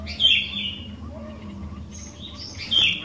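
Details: Sooty-headed bulbul singing to trigger song from other bulbuls: a sharp bright phrase opening, a quiet stretch, then faint notes and a second loud bright phrase at the close, over low hum.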